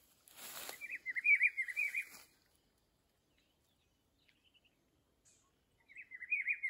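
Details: Rufous-browed peppershrike of the Atlantic Forest delivering a rolling whistled phrase partly masked by a burst of broadband rustling noise, then a second clear looping phrase after a four-second pause.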